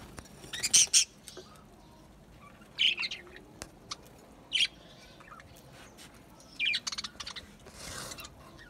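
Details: Budgerigar song, Australian parrots, as separated short bursts of squeaky warbled chatter about every one to two seconds, with quiet pauses between and a soft hiss at the end.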